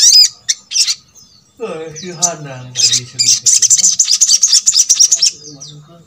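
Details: Sogok ontong song meant to make quiet birds of its kind start singing: a few high chips, a human voice speaking briefly, then a long fast run of shrill, buzzy chattering notes.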